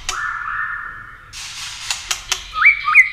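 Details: White-rumped shama in contest-singing mode, flicking its tail, used to rouse other shamas to sing: a long steady whistle, a brief noisy stretch, sharp clicks, then bright repeated two-note whistles near the end.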